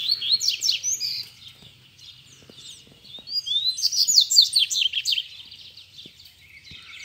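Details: Rusty-collared seedeater calling a rival to fight near a cage: two bright, rapid warbled phrases of slurred notes, separated by a quiet pause with faint clicks.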